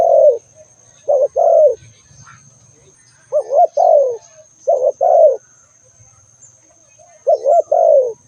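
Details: Spotted dove calling in four mellow phrases, a brief note then a sustained downward coo each time, separated by short pauses, with faint low background noise and a constant thin whine.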